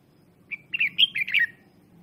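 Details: Lure red-whiskered bulbul singing hard to provoke wild birds: one rich phrase opening on a clear note, followed by a tumbling, slurred run of whistled and warbled notes lasting about a second.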